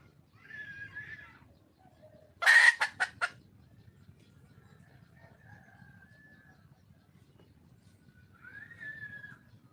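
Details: Wild red junglefowl hen calling for a male: a short rising-then-level whistled note, then a harsh loud burst followed by three rapid clipped pulses, with a quieter drawn-out note and another whistled note near the end over low background rumble.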